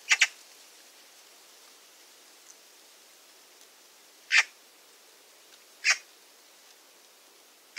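Eurasian magpie giving harsh, rasping chak notes, a quick double at first, then two single notes spaced about a second and a half apart, over quiet background.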